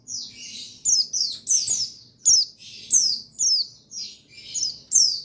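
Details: Male buxtoni white-eye (pleci), a trigger sound for making birds sing. A lively, continuous run of high, bright, downslurred chirps and twitters comes in quick succession, nearly without gaps.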